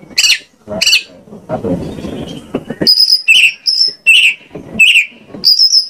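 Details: Lure recording of white-rumped shama song meant to provoke singing: two harsh rasping bursts, a low rumble, then a run of steady high whistles paired with lower chattering notes, repeated roughly once a second.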